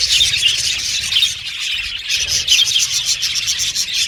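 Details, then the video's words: Lively budgerigar chatter, loud rapid chirps and squeaky warbled phrases pulsing in short waves over a continuous background of high twittering from many birds. "Beautiful Budgies Chirping Sound"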